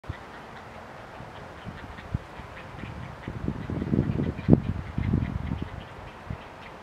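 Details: Juvenile great blue herons give low, harsh clacking and grunting begging calls in irregular bursts, swelling mid-way then fading, as an adult arrives and regurgitates a large fish meal for them.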